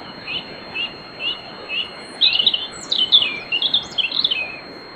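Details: Night-time pre-dawn singing by a European robin in a riverside grove at Bóveda, Lugo, Spain: short high phrases repeated about twice a second, then a denser tumbling run of bright, twittering notes.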